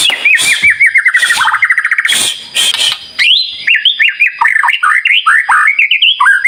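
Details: Energetic singing from a White-rumped shama used to provoke other birds: dense rapid trills sliding downward, then a lively run of bright, sharply rising and falling whistles delivered in quick succession.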